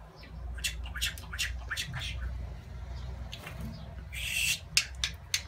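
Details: Talking pet budgerigar declaring its love; strings of quick, scratchy speech-like syllables, then a loud harsh buzzing squawk and a few sharp clicks, over a low indoor hum.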